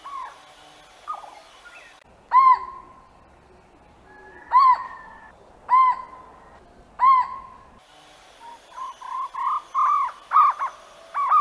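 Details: Jungle owlet with a few scattered, widely spaced hollow notes at first, then a quickening run of shorter notes near the end; soft background hiss and a faint high tone throughout.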